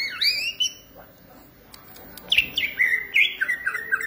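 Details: Green leafbird (cucak ijo) singing energetically in Indonesia: sweeping whistled notes around the start, a pause, then a rapid chattering run of slurred, descending chirps and short whistles.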